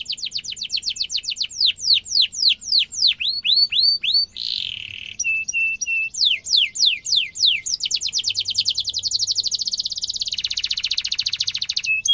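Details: Canary in full rolling song used as tutor material for young canaries: steep downward-sweeping notes, short level whistles, a harsh buzzy burst, then long rapid high trills continuing to the end.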